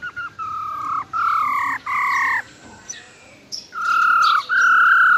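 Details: Female silver-eared laughingthrush singing a wild-type 'ro ro' song, used to fire up male birds. Sustained, steady whistled notes with a rich, slightly nasal tone come in about six phrases, some flat and some gently rising, separated by short pauses.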